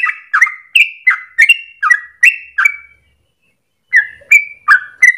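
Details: Yellow-vented Bulbul (trucukan) singing energetically in a long rapid 'ropel' style, used as a lure for training other birds. Bubbly, gurgling two-part notes repeat quickly, with a brief pause midway before the phrases resume.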